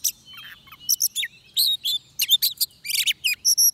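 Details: At a trap, an oriental magpie-robin sings short varied notes: a soft opening twitter, then loud sharp chirps, slurred whistles and bursts of buzzy notes, each lasting well under a second and closely spaced.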